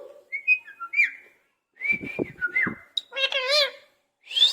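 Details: Caged pet parrot mimicking sounds, said to imitate a cat's voice: a mix of whistled notes, short harsh squawks and one wavering, meow-like wail with stacked harmonics, broken by brief silences.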